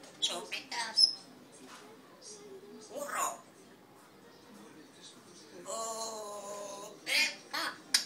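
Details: A red-tailed African grey parrot gives scratchy, hissing bursts and clicks, then a nasal, speech-like drawn-out phrase and a few sharp squawks in a quiet room.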